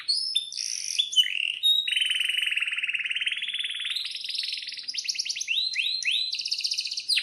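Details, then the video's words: Canary in full song, offered as a lure and tutor for young canaries learning to sing: a long, steady buzzing roll that rises into higher rapid trills and repeated upswept whistles. "suara kenari gacor panjang AMPUH,, PANCINGAN KENARI AGAR BUNYI JADIKAN BURUNG KENARI GACOR Seketika"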